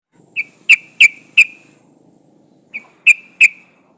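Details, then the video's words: Female sooty-headed bulbul calling to a male: sharp, ringing notes given in a quick run of four, a pause, then three more, each note clipped and bright. "trucuk betina memanggil jantan"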